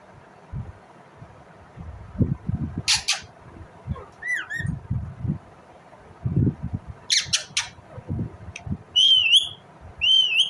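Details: Indian ringneck parrot uttering a short downward chirp, then a pair of rising-falling screechy calls near the end, among scattered clicks, taps and rustling noises.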